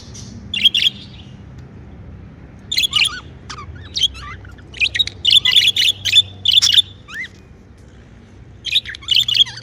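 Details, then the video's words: Pet budgerigars in a cheerful mood chirp and warble in clustered bursts of high notes with occasional down-slurred whistles, separated by quiet gaps, over a faint background hum. "Happy Budgie Sounds | Chirping sounds | parakeets sound | budgie sounds"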